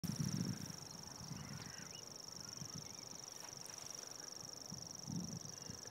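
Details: A common grasshopper warbler reels without pause, a high, dry, insect-like trill, at Oss, Netherlands, on 19 April 2013; low rumbling, faint honks or voices and a few other bird calls sound in the background.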